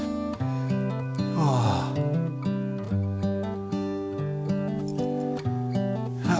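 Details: Acoustic guitar music playing throughout, with a swooping synth-like glide and no animal voices.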